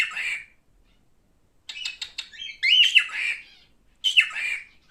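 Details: Male cockatiel kept as a pet, giving harsh, buzzy squawks with a sharp upward-sweeping onset, separated by short clicking notes, in a quiet room.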